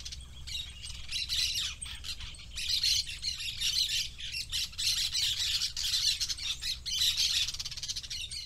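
A parakeet keeps up a fast, high, scratchy warble broken by sharp squawks and chirps, running almost without pause for eight seconds.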